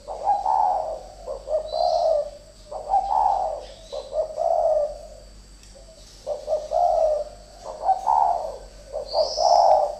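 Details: Two decoy spotted doves fighting: rapid, insistent series of hoarse cooing phrases, short lead notes then rolling coos, about six phrases in ten seconds with a brief pause midway.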